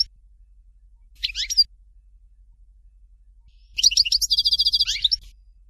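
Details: European goldfinch, Dalya Fort de l'eau song: a short twittered phrase, a few seconds of quiet, then a longer burst of quick chirps, a buzzy trill and sliding notes.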